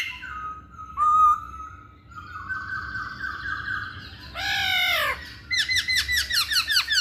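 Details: Lure recording of masked laughingthrush for males that seldom sing. Steady whistled notes, a loud downward-sweeping harsh note, then a rapid series of bright rising chirps.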